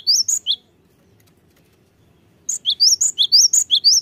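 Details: Cinereous tit song played to rouse reluctant birds into singing: a short burst of high whistled notes, nearly two seconds of silence, then a fast run of repeated rising-and-falling phrases.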